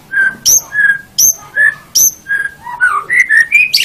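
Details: White-rumped shama master song for training caged songbirds, morning or evening: loud, clear whistled phrases, each a mid-pitched note paired with a sharp high accent, repeated roughly every 0.7 seconds, ending in a quicker run of rising varied whistles.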